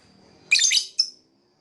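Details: Lovebird making a scratchy, high chattering burst followed by a brief sharp chirp, all within about three quarters of a second.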